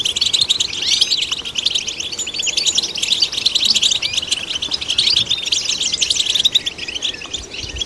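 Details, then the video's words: European goldfinch singing to stimulate other goldfinches, a steady stream of fast, silvery chirps and ticking trills high in pitch, broken by occasional downward slurs, continuing evenly throughout. "Golden Songbird vocal performance to stimulate the goldfinch"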